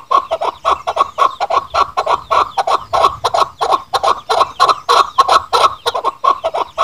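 A chukar partridge gives harsh, clucking chuck notes, about three a second, running together into a steady, rollicking chatter.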